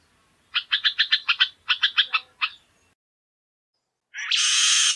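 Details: Jamaican Oriole gives a quick harsh chatter of about ten rapid buzzy notes in two short runs, then silence, ending with a sudden loud rush of broadband noise.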